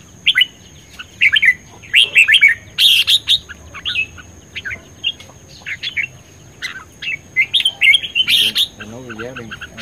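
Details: A caged red-whiskered bulbul, recorded 10 May 2020 and said to be ready for competition, sings bright, rollicking whistled phrases in quick bursts, with a steady high electronic hiss and a faint low buzz near the end.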